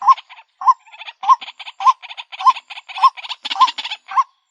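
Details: Rhythmic lure call of the white-breasted waterhen, with clear upturned croaking notes about every half second, each followed by quick chattering pulses.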